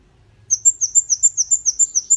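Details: Song of a red-headed bunting for training cage birds: after brief quiet, a steady string of high, sharp downslurred chirps, roughly six per second.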